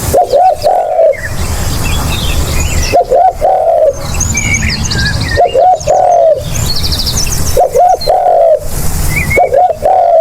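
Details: Decoy call of a spotted dove: five cooing phrases at roughly two-second intervals, each starting with stuttered short notes and ending in a longer smooth coo, with scattered chirping of small birds behind and low background noise.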